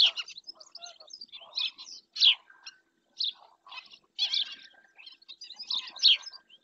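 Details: Black-winged stilt in Doñana National Park, Spain, recorded by webcam, giving shrill, clipped yelps in uneven groups, the strongest notes near two and six seconds, with fainter chatter between them.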